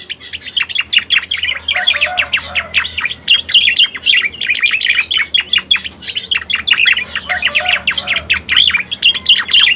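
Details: Striated grassbird used as a lure to attract others of its kind: dense, fast chirping song of sharp rising and falling notes, repeated in busy bursts throughout with only short gaps.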